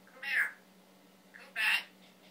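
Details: Pet male Timneh African grey parrot, taught to cough and ask for water, gives two harsh, meow-like squawks about 1.3 seconds apart, each rising then falling, over a steady low hum.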